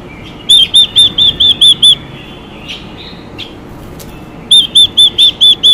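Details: Female Chinese hwamei, whose singing excites males: two bursts of six to seven arched, bright whistles, separated by a pause holding faint soft notes.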